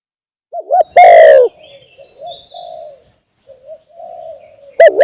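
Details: Spotted dove lure-call recording of an actively calling bird: a loud, distorted, overdriven cooing phrase with a rising-falling pattern, then softer distant coos, another loud coo at the end, and faint high whistles from other birds.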